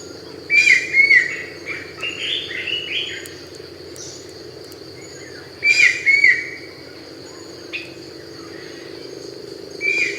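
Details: A Brown-winged Kingfisher (Pelargopsis amauroptera), a protected species in Thailand, gives loud, sharp double notes in bursts every few seconds with a brief chattering run, over a steady insect buzz.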